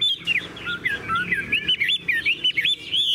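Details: Tame caged Chinese hwamei, about 98-99% tame and said to sing nonstop like a machine with very long phrases, pours out a fast, unbroken run of loud, varied, slurred whistles and rich warbled notes over faint room noise.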